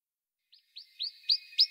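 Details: Western rock nuthatch recorded in March 2020 in İzmir, Türkiye: a short series of rising, slurred whistled notes growing louder, about four notes over one second, with a faint steady tone underneath.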